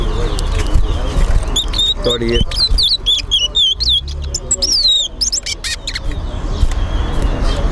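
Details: Competition singing by caged towa towa (chestnut-bellied seed finch) at a Linden, Guyana bird club: a lively middle section of sweeping, repeated whistled notes, framed by speech and background music.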